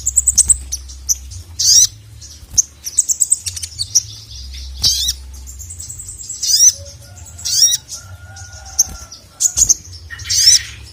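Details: Sogon, or crimson sunbird, giving calls aimed at a male: scattered sharp high chirps and brief sweeping squeaks with gaps between them, plus a faint low steady tone in the background.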